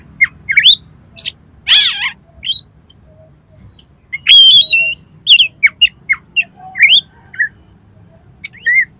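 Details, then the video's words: Kacer, the oriental magpie-robin, in lively song with learned filler phrases to stimulate contest birds: rising whistles, a harsh raspy note, then bursts of quick high chirps and twisting slurred whistles with short pauses between. "KACER GACOR FULL MATERI MIUNTAH ISIAN || COCOK UNTUK PANCINGAN KACER LOMBA"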